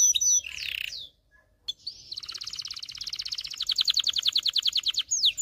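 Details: Domestic canary in excited song, aimed at training males and readying females to mate. Whistled sweeps and a buzzy note, a short quiet gap, then a long trill that grows louder, ending with a falling whistle.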